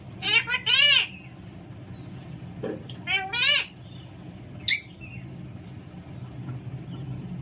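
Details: Pet Alexandrine parakeet giving two quick harsh, harmonic squawks, then a second pair about two seconds later, and a short sharp note near the end, over a low steady hum.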